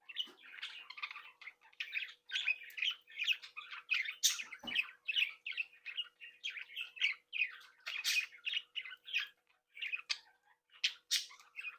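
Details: Budgerigars, a captive breeding group of birds with their young, chattering happily indoors: dense overlapping warbles, chirps and squawks, busy and continuous with brief pauses, a few sharper harsh notes standing out.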